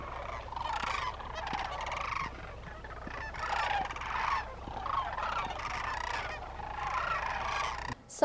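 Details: Thousands of wintering sandhill cranes at Willcox, Arizona bugle together, a continuous chorus of rolling, trumpeting calls swelling and fading every second or so over a low hum; they bugle constantly from afternoon until sunrise.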